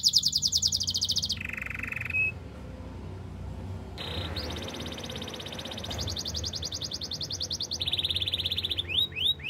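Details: Canary song used for training other canaries: fast, even high trills, a lower buzzy trill, a brief pause, then long rapid rolls and a closing run of quick upslurred notes over a soft low hum.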